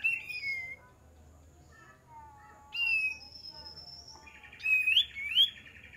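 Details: Used as a lure, an olive-winged bulbul gives a slurred whistle and a long, steady, high tone, then a buzzy trill with bright, rising flourishes.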